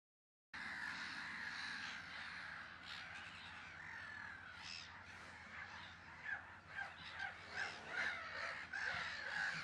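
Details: Black-headed gulls at a colony on Brownsea Island, disturbed by an oystercatcher, fill the air with harsh, grating kraar calls, many birds overlapping in a dense din, with louder bursts about every second near the end.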